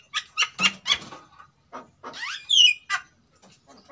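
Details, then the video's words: Captive Javan myna pair in breeding condition, male and female both singing as a lure sound: harsh, buzzy chattering notes in a quick series, broken by a bright whistled sweep rising then falling. No other sounds. "Suara Pancingan JALAK KEBO GACOR Jantan vs Betina Sama-Sama Gacor"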